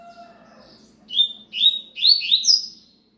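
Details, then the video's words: A seedeater delivers a cigano-style phrase of rapid, sharply slurred whistles tumbling downward in quick succession, preceded by faint tonal sounds and underlain by a constant low hum. "coleiro cigano um fernomeno da natureza"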